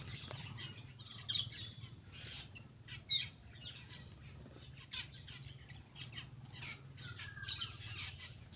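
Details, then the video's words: Black-winged myna chattering while it eats, soft scratchy notes broken by three sharp, louder shrieks spaced a couple of seconds apart, steady low hum behind. "cucak Keling bar bar"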